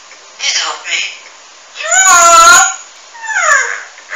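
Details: Maltese grey parrot speaking indoors: three short voice-like utterances, the middle one longest, with harmonic, rising and falling tones over a low steady hiss.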